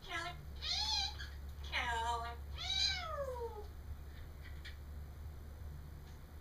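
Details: Pet parrot babbling and talking indoors while a second caged parrot plays nearby; three harmonic, wavering vocal phrases in the first four seconds, the last sliding downward, over a steady low room hum.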